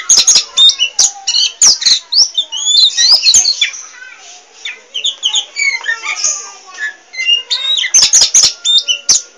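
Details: Nonstop chatty song of a poci Oriental magpie-robin: dense bursts of sharp clicks and high sweeping whistled notes, a quieter warbling middle section, then clicking bursts again.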